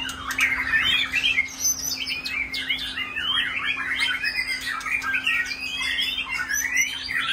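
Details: Shama birds kept at home perform on a rainy day, pouring out dense, loud, overlapping whistles and quick warbled runs with hardly a break. A constant low hum lies beneath, and sharp clicks sound now and then.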